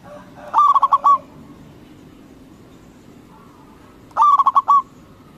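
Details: Two pulsed cooing phrases from a local zebra dove, perkutut, meant to rile opposing doves into responding, spaced about three and a half seconds apart against faint low noise.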